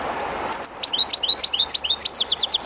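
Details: European goldfinch, a kept bird, singing close to the flowing water of the Jerte River while somewhat shy in the unfamiliar spot; rapid high twittering notes with sliding, tinkling phrases running continuously, over a steady soft rush of river water.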